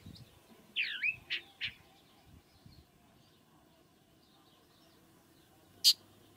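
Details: A chalk-browed mockingbird gives a brief song phrase: a looping, warbled high note followed by two short, scratchy notes, then a single sharp click later against a quiet background.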